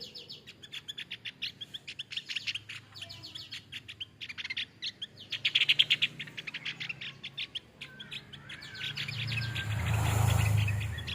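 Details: Male Javan grey-throated white-eye song for training other birds; dense, rapid series of short, sharp chip notes in quick trains, with a rushing noise swelling near the end.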